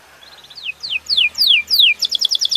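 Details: Belgian canary singing loud descending whistled sweeps in quick succession, ending in a rapid high trill of short repeated notes.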